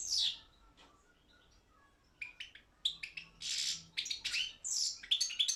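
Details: Goldfinch, Carduelis carduelis balcanica, singing for a world championship held over the internet by a Serbian breeders' group: an opening chirp, a quiet gap, then scattered sharp clicks and buzzy twittered bursts building in intensity.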